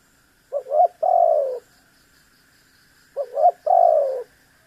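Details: Lively spotted dove call aimed at making a rival bird sound off: two identical phrases, a fast stuttered double note followed by a sustained, buzzy, downward-sliding coo, with a faint steady background tone.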